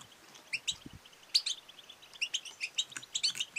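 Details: Female European goldfinch making batbata and satsata calls to prompt males to sing and mate; evenly spaced bright high chirps repeated through the clip over a light hiss.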